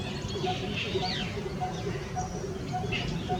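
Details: Coppersmith barbet giving a steady series of short, low, hollow tuk notes, about two or three per second. Other birds chirp over it with rising high notes, and there is a constant low background rumble.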